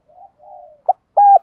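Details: Spotted dove used as a lure bird to provoke fighting, in a local voice style called giọng thổ pha: soft low coos followed by short, louder, clipped coo notes at even pitch.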